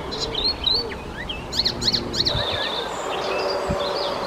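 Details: Icterine warbler from the Czech Republic delivering a quick jumble of high whistled notes, up-and-down slurs and a few rasping buzzes, with faint background noise.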